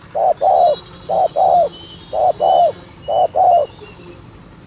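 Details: Spotted dove luring call of the 'thổ thúc gù' type: four evenly spaced pairs of mellow low coos, short note leading a longer one, accompanied by faint high-pitched calls of small birds.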